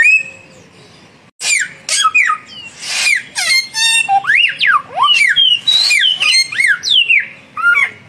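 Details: Young and mature samyong birds duel with vigorous song: after a quiet second, a dense run of loud whistles sweeping up and down, swooping slurs and brief buzzy bursts, packed closely with short gaps.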